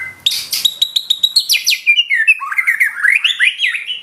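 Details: White-rumped shama pouring out imitated phrases: a rapid stuttering series of clicks and chips that runs straight into a warbled string of twisting whistles.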